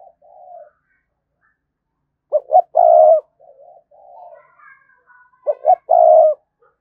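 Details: Spotted dove lure call meant to provoke wild doves: soft low murmured coos alternate with two louder phrases, each made of short notes leading into a long, strong coo, with faint higher chirps between them.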